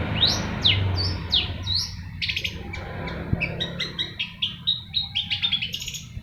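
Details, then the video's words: Long-tailed shrike in lively song: sharp downslurred whistles at first, then a rapid jumble of clipped, varied notes, some mimic-like, over a low background rumble. "Burung Pentet Gacor"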